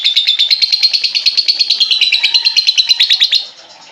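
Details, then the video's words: Lovebird song used as a lure to get a silent lovebird singing again: a long, rapid, buzzy chattering trill around high pitch, pulses repeated about three per second, running steadily for over three seconds then stopping. "pancingan burung lovebird macet bunyi"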